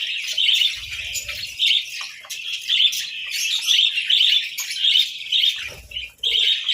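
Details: Budgies over boiled eggs and bread at breakfast in winter keep up steady high chattering chirps, with a brief low rumble twice.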